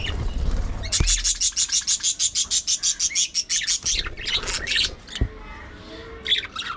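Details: Pet budgerigars: a fast, even series of about twenty sharp chirps, several per second, for about three seconds, then a few looser scattered calls and a soft knock.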